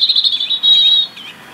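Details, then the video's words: Brief phrase from a UK European robin holding winter territory: a thin, steady, high whistle lasting about a second, slightly wavering, ending with a short fading note. "Beautiful song of Robins"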